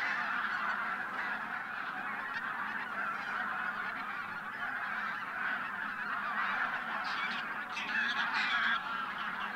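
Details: Bean and white-fronted geese from Siberian breeding grounds, over a thousand strong, taking off before sunrise at Teichland Linum, Brandenburg, Germany. Dense honking chorus throughout, with a louder burst of sharper calls around seven to nine seconds.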